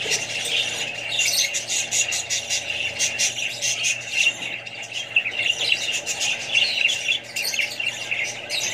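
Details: Australian budgerigars among other parrots and young birds, calling all together: busy, overlapping high chirrups and harsh squawks, rising and falling slightly in loudness over several seconds.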